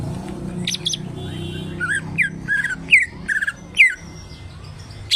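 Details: Greater green leafbird kept for lolohan training, giving a varied sequence of sliding, downslurred whistles and squawky notes with a low background hum.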